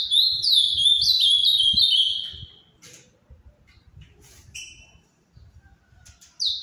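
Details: Ultramarine grosbeak, the Paraná form, kept as a captive songbird in Brazil, delivering a rapid warbled phrase of high sliding whistled notes lasting about two seconds, followed by quieter scattered notes and a brief high whistle at the end.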